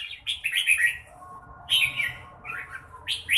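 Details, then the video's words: Red-whiskered bulbul delivering three quick, sweet warbled phrases, each under a second long and spaced by short gaps, clear and close. "Chào mào bộ đẹp lối chơi mãng nhãn"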